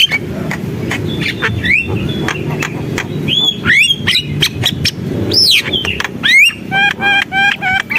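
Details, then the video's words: Javan myna singing gacor: clicks and chatter broken by loud rising whistled sweeps, then a closing series of evenly spaced, ringing harmonic notes, with a low steady background hum. "JALAK KEBO GACOR, SUARA JALAK KEBO"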